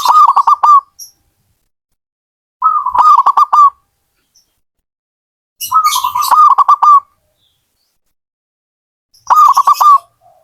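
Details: Zebra dove (perkutut) of a hobbyist, singing long phrases of rapid, rhythmic coos that stretch over a second, repeated about every three seconds, with occasional hissing noise in the background.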